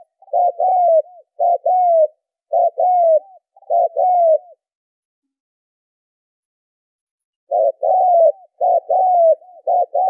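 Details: Spotted dove calling, recorded as a lure for stimulating and training decoy birds: two bursts of low, hoarse, two-part coos, each phrase a short note then a longer falling one, in quick series, with a silent gap between bursts.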